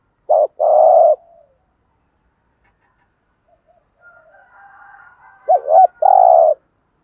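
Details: Spotted dove cooing, male and female, used to rouse a trained bird: a short coo and a longer one, a quiet gap with faint murmuring, then a wavering double note and a final drawn-out coo.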